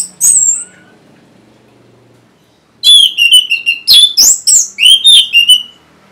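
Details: Orange-headed thrush singing for caged birds that will not sing: a single high note, a two-second gap, then a lively run of varied whistles, rising and falling slurs and sharp chirps.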